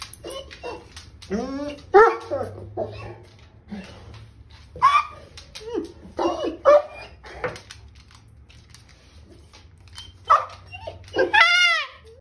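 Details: A Moluccan cockatoo mocking the family Mastiff gives hoarse, bark-like calls in irregular bursts every few seconds; a person talks in between.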